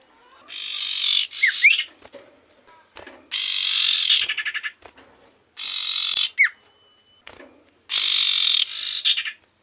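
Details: Lively common iora song used to agitate other ioras: long harsh buzzy rasps, some ending in stuttering pulses, broken by brief sharp downslurred whistles, repeated about every two seconds.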